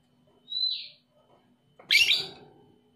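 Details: Young lovebird, played to coax quiet lovebirds into calling: a brief thin rising whistle, then after a pause a loud harsh shrill burst of chattering squeaks that trails off.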